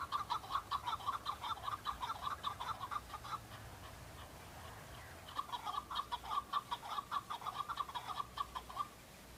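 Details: Rhythmic chuck-chuck calling of a male chukar, displaying and fighting rivals to attract females in season: two long bursts of quick, hard repeated notes separated by a short pause, with steady background hiss.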